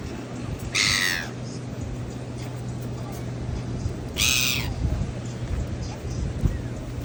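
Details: Seagulls fighting for food on a beach: two loud, harsh, down-slurred squawks about three seconds apart stand out above a steady low hum and rumbling background noise.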